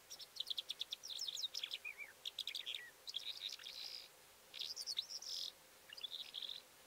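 Calandra lark singing a fast, jumbled run of high chirps, rattles and buzzy trills, broken by brief pauses, with little else heard.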